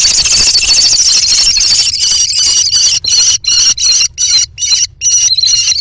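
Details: Four American kestrel chicks in a nest box during a food frenzy, fighting over prey the mother delivered; continuous piercing high screaming that breaks into rapid harsh bursts, about two and a half per second, with knocks in between.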